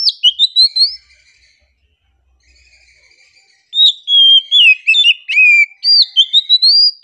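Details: Kacer, the oriental magpie-robin, chirping relaxedly: a quick run of whistles, a quiet pause, then a lively stream of rapid varied notes, slurs and upward sweeps.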